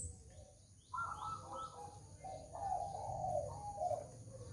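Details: Orange-headed thrush song used as a lure for birds: clear, fluted, slurred whistles in short phrases, first higher then dropping lower, over a steady low hum.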